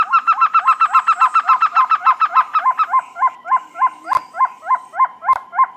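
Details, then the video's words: Trogon repeating short hooked notes at a steady, fast pace, first a tight run and then slightly more spaced notes; two sharp clicks cut in near the end. "THE BEST TROGON SOUNDS COMPILATION"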